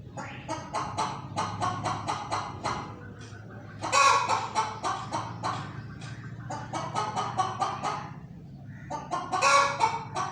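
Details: Hen making noises, a rapid run of short harsh clucks in bursts, broken by two louder drawn-out squawks around the middle and end, steady low background hum.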